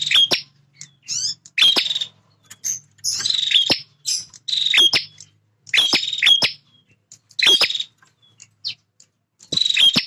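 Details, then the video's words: Male bar-winged prinia singing keenly, a bird that guards its feeding and nesting area: around eight rasping, buzzy bursts arrive at roughly one-second intervals, some ending in thin rising squeaks. A faint hum plays early on. "Suara Prenjak Jantan Super Gacor"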